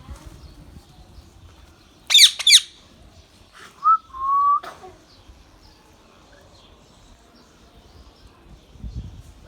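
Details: Young rose-ringed parakeet, a ringneck kept as a pet bird, gives two harsh, rasping screeches close together, then a short clear whistle and a longer steady whistle, with quiet room background.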